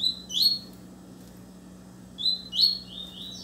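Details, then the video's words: Double-collared seedeater (coleiro) singing intensely, two short bursts of bright, high, quickly slurred chirps about two seconds apart, over a low steady hum. "Coleiro cantando muito na cara do chia"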